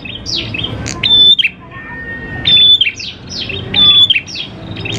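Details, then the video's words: Lure song of a constantly singing prinia: three loud phrases, each a shrill steady whistle dropping into quick downward chirps, separated by softer chirping and a long thin lower whistle. "PANCINGAN PRENJAK KLAWU GACOR, NGALUN BIKIN PRENJAK CEPAT BUNYI"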